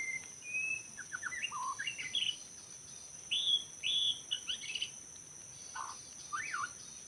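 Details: Forest white-rumped shama recorded during bird trapping in Lombok: scattered short whistled phrases and slurred notes separated by pauses, against a continuous buzzing insect chorus.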